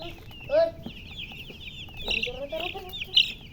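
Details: Chickens chirping with a hen nearby: a run of high, wavering peeps, broken by a louder, lower, harmonic cluck early on and several sharper squeaks later.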